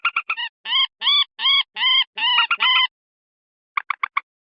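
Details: Edited lure recording of common moorhen calls, used to attract wild moorhens near marshes, paddies and water. Five loud, drawn-out harmonic notes with a slight bend, followed after a pause by short clipped clucks.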